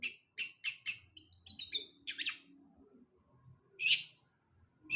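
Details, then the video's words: Long-tailed shrike gives four sharp, rasping notes in quick succession, then thinner squeaky twitters and a pause before another loud harsh note. "Pancingan cendet habis mabung pasti bunyi"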